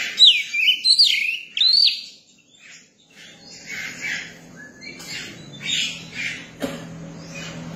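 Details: Young Oriental magpie-robin opening with two loud, clear whistled phrases, each dropping then rising, followed by several seconds of softer harsh chattering and a sharp knock with a low hum.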